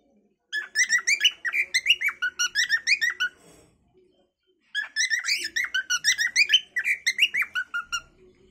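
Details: Rapid whistled chirping by a cockatiel in two long bursts of about three notes per second, with a quiet pause of over a second in between, recorded indoors.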